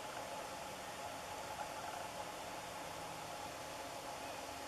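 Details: Steady broadband hiss, like wind or engine hum, with no animal calls.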